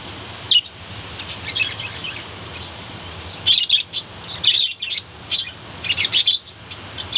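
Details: Captive budgerigar colony kept on a balcony, chattering in the morning: overlapping quick, high chirps and twittering bursts in irregular clusters, with a steady low hum underneath.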